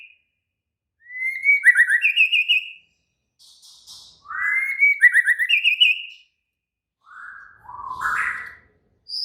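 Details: Active, agitated White-rumped shama repeating the same phrase twice, a rising whistle followed by a rapid rattle of about eight sharp notes, then lower slurred whistles.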